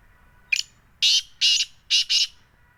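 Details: Black francolin, known locally as kala teetar, in Sindh, Pakistan: five harsh, noisy, high-pitched bursts over two seconds, a short clipped note followed by four longer rasping notes, the last two close together.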